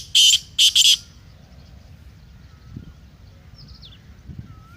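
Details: Black francolin, a loud, sharp voice meant for playing to a kept francolin to excite it and prepare it for calling: two harsh, rasping broadband bursts in the first second, then quiet with faint background sounds.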